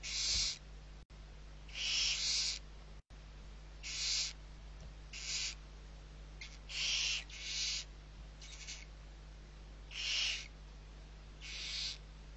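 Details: Six barn owl nestlings during feeding, Riet Vell, Ebro Delta, Spain, 21 November 2023: a string of overlapping wheezy, hissing screeches of varying loudness, repeated roughly every second, with two brief clicks and a steady low hum.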